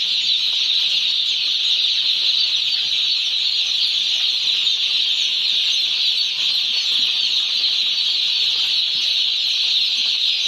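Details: Many one-day-old chicks on a poultry farm, their countless high peeps overlapping into a dense, unbroken shrill wash that holds steady throughout without pauses.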